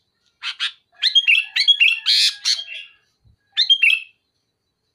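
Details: Sooty-headed bulbul pressuring a rival with loud, sharp song: two short buzzy notes, then a dense run of fluty whistles mixed with harsh scratchy bursts, a pause, and another whistled phrase.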